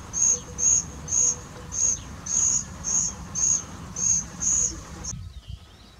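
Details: Common cuckoo chick raised by a woodchat shrike foster parent after its nest was parasitised, being fed and begging with thin, very high hissing notes repeated about twice a second, about nine in a row.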